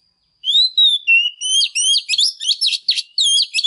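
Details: Female Oriental magpie-robin, used to provoke males into singing, gives loud, varied whistles: smooth sliding notes at first, then quicker, choppy, scratchy phrases packed closely together.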